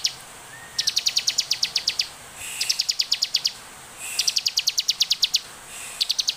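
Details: Bar-winged prinia in vigorous song used to lure other prinias into singing: long runs of rapid, sharp, high ticking notes, about a dozen per phrase, repeated after short pauses.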